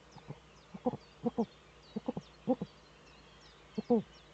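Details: Male Eurasian eagle-owl displaying in the nesting niche, captured by a nest webcam in northern Rhineland-Palatinate, Germany, 4 May 2013. Quiet clipped notes, mostly single or in pairs, spaced irregularly over a faint steady hum.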